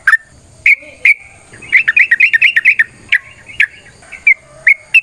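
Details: Fighting song of a yellow-vented bulbul, used to provoke other birds into singing: spaced liquid notes around a fast chattering burst of bubbly whistles in the middle.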